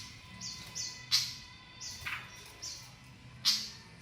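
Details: Flycatcher learning its basic song: high, thin whistled notes with short downward slurs, broken by a few sharp, loud chips spaced about a second apart, over a quiet background.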